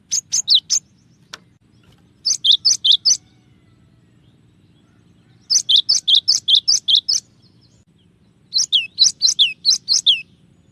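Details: Cinereous tit (gelatik batu) in clear tembakan song variations. Four bursts of quick bright double whistles, each of four to eight notes, are separated by short pauses. The later phrases slur downward more steeply. A single click sounds early on.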